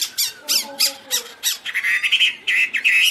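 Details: Chinese hwamei (Garrulax canorus) waving its open wings and tail; harsh, buzzy bursts roughly every third of a second, then clear whistled notes slurring up and down, phrases repeated quickly.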